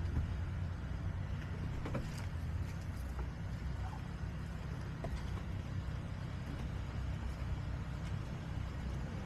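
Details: Steady broadband vehicle rumble fills the recording from start to finish, with no animal sounds standing out.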